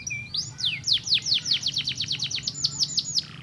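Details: Canary song meant to stimulate other canaries to sing: a soft opening note, then a rapid, even run of about fifteen sharp, downward-sweeping whistled notes, with a low steady hum underneath.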